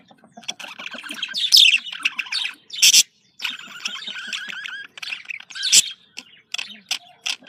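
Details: Budgerigar contact calls, described as happy communication sounds of the Australian parakeet: a busy warbling chatter of fast rising and falling chirps, broken by sharp loud clicks and a brief silence.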